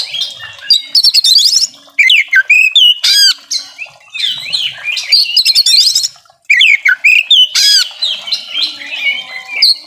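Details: Oriental magpie-robin, a captive bird in full mimicking song as a lure for quiet birds; dense run of loud slurred whistles, chattering trills and sharp upsweeps, broken by brief pauses.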